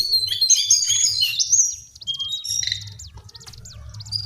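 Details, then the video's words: Lesser shortwing song: a dense burst of fast, tangled high warbling for about two seconds, then sparse thin whistled notes, over a faint low hum. "Master Pancingan Burung cingcoang/jongkangan coklat"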